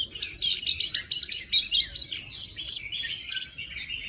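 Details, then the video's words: Oriental magpie-robin singing forest voice for training young birds: quick, tightly packed series of bright whistled and chirped notes, around two per second at peaks, tapering slightly at the end. "Chòe than hót giọng rừng cực phê"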